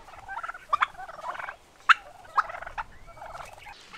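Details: Turkeys kept in a village in Uzbekistan gobbling: rapid, throaty rattling bursts repeated several times, overlapping from more than one bird, with a few sharp louder notes between the gobbles.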